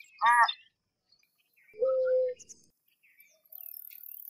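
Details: American white ibis giving a single short, harsh call with stacked harmonics, followed by a steady tone lasting about half a second and then a faint, buzzy high hiss.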